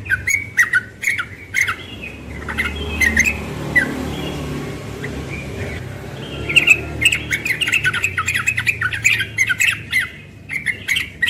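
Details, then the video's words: A young yellow-vented bulbul in the morning gives rapid, bubbly chattering phrases in quick bursts, pausing briefly midway, over a low background hum. "Trucukan muda ropel pagi"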